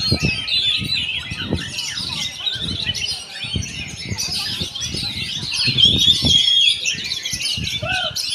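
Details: Continuous rich oriental magpie-robin song of mixed whistles, trills and sharp chirps, with clear rising and falling whistled phrases near the end over repeated low knocking sounds.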